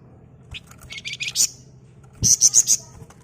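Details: Flamboyan, known as wergan jawa, in steady ngebren singing used to lure flock birds: quick rattling high chirps followed by four rapid piercing high notes, with a steady low hum underneath.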